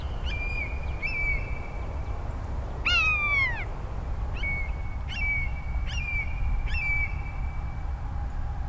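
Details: A Common Buzzard gives about six loud, cat-like mewing calls, each drawn out and slightly falling, repeated every second or so over a low rumble; this very vocal raptor calls both perched and in flight.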